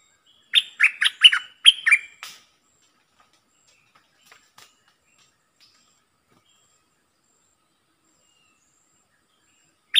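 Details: Bulbul used as a decoy bird, 22 August 2021: a sharp burst of five or six quick, bright chirped notes, followed by near silence with a few faint ticks.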